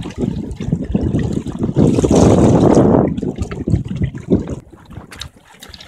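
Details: Trickling, splashing water with low rumbling and wind buffeting, swelling loudest midway and then fading to a quieter patter; no animal calls heard.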